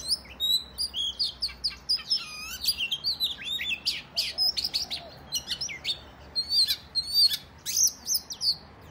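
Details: Kacer, or Oriental magpie-robin, delivering fighting song in the 'ngobra' style to goad other males into tail-spreading; clear whistled phrases and sweeping slurs, separated by short gaps, sharp rising notes toward the end.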